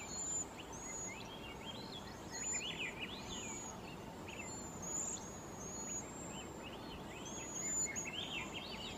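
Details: Flock of wild cedar waxwings gathered in the Pacific Northwest, giving thin, very high, hissing whistles repeated every second or two, with lower chirps and slurred notes from other birds beneath and a steady background hiss throughout.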